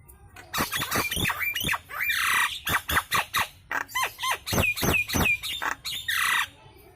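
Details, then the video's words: Nias hill myna giving a loud lure song meant to prompt other birds to sing: about twenty sharp squawks and clear whistles in quick succession, some notes broad and harsh, others sliding down, over seven seconds. "SUARA KERAS PANCINGAN JALAK NIAS LANGSUNG RESPON IKUT GACOR"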